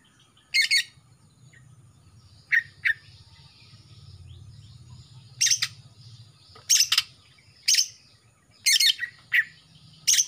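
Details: Singing young male greater green leafbird from Kalimantan, just past spotted juvenile plumage and showing black on the throat front; bright chirps and clipped twittering phrases come in irregular bursts, some doubled, over quiet low background hum.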